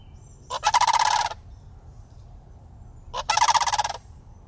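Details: Two juvenile sandhill cranes, year-round city residents at ease around people, approach in greeting, giving two rolling, rattling calls, each under a second and a few seconds apart, with a fast pulsed purr over a faint hum.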